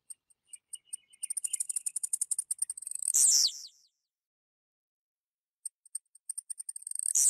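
Blue-black Grassquit: very high, thin ticks quicken into a rapid stutter, then end in a sharp buzzy burst. The phrase repeats after a few seconds' pause.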